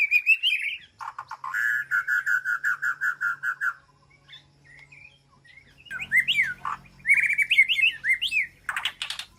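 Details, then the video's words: An aviary-kept white-rumped shama calls to its flock with a fluty opening, a rapid series of evenly repeated notes, then a pause before jumbled sharp upslurred whistles and scratchy notes, with a faint low hum. "Sound of White-rumped Shama Call to Flock"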